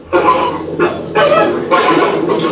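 Flamingo giving loud, harsh, nasal honks, three or four goose-like blasts in quick succession, each about half a second long, in a small room.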